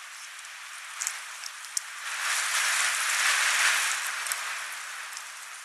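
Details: Steady hiss like rain or rushing water, swelling in the middle, with a few faint tapping drops and no animal calls.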